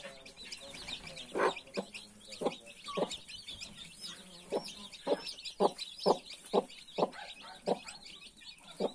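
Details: Hen with her 31 newborn chicks: repeated low clucks, about two a second, speeding up toward the end, under continuous high-pitched chick peeping.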